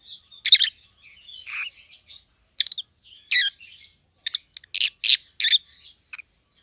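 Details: Two pet rosy-faced lovebirds, white-headed opaline mutations in pallid and green, calling in loud raspy chirps grouped in quick runs, softer twittering between them and a tight series of four sharp notes near the end.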